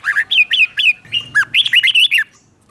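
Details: Red-whiskered bulbul singing in the doubled 'beul' style as a teacher bird for captive bulbuls: a clear, evenly spaced series of about ten bright, down-slurred whistled notes, the later ones faster and paired.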